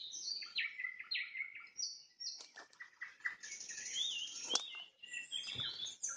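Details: Nightingale trills at sunset: stuttering repeated notes, sliding whistles and sharp high strokes, with a soft flutter-like sound near the end.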